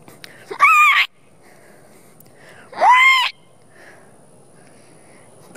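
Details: Four wild sandhill cranes displaying toward a person who had tried random bird calls; two loud, rolling, rattled trumpeting calls about two seconds apart, each roughly half a second long, with a quiet outdoor background.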